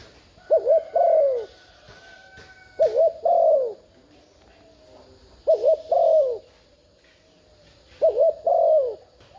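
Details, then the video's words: Spotted dove used as a decoy bird to lure wild doves, giving repeated two-part coos: a short wavering note followed by a longer falling coo, phrases spaced about every two and a half seconds, faint high chirps behind. "Tiếng chim cu gáy thúc gù kích mồi mở lên bổi gáy liền"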